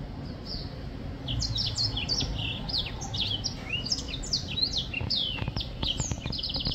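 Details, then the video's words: Songbird song from a black-throated finch: dense flurry of high chirps and downslurs building in pace, ending in rapid clicking ticks, over a low continuous hum. "Black throat finch singing / 黑喉燕歌唱"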